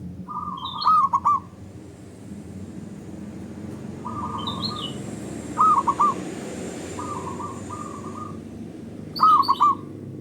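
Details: Local zebra dove (perkutut lokal) singing, used as a lure to stimulate other doves to sing. Loud, long voice: soft, level cooing leads into a bright, rolling three-note coo, repeated several times. Brief higher chirps from another bird, with a steady background hiss.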